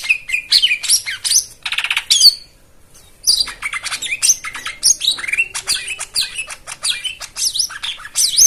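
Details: White-eye 'isian' song for coaxing silent white-eyes: a fast, varied medley of chirps, a short buzzy rattle, then rapid looping whistled notes and V-shaped squeaks.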